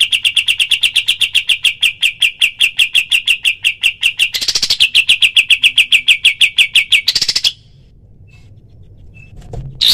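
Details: Pied triller, kapas tembak, giving an extended tembakan: a long, very regular machine-gun series of bright chirps, broken by two brief louder bursts, then near silence with a faint knock at the close. Recorded for training other birds.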